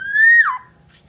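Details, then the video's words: Black-naped oriole from Aceh, a very active singer, recorded as a lure to draw other orioles into singing: one loud, clear fluted whistle holding level and rising slightly, then sliding down sharply, lasting about half a second in a quiet setting. "Kicauan kepodang emas pikat, Super gacor"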